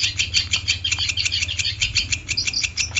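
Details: Long-tailed shrike singing vigorously, in a training recording meant to teach caged shrikes: a fast run of shrill, chirping and scratchy notes, closely packed and steady throughout, with a low hum underneath.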